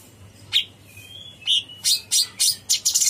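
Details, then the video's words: Cucak cungkok (bulbul) singing in a lively, gacor style with long bursts: a few separate high chirps and one thin whistled note, then a fast run of sharp, bright notes close together near the end. "Suara burung cucak CUNGKOK gacor"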